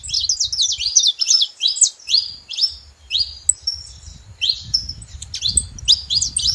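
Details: Several saffron finches together give bright, high chirps in quick clusters, some notes slurring downward, with short gaps between bursts and faint low background rumble.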